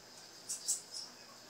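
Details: A female blue-black grassquit gives three thin, very high chips about a quarter second apart, against a faint steady hiss; the call is used to encourage a male to sing.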